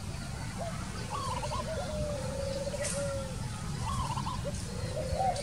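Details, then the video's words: Two low, wavering coo phrases from a wild Spotted Dove, each starting with a short upward note and trailing into a rolled, bubbling trill. A faint click is heard against continuous low background rumble. "Wild bird Dove, wild bird, Dove, นกเขาใหญ่"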